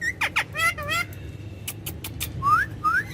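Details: Courtyard ringneck parakeet speaking Urdu/Hindi with its owner. Two quick harsh syllables and harmonic speech-like tones, a pause with clicks, then two clear rising whistled notes.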